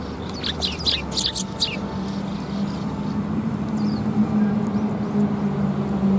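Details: Sparrows coming to be fed at a Tenmangu shrine, recorded January 25, 2021; a quick burst of high, sharp chirps in the first second and a half, then a few faint chirps over a steady low engine-like hum.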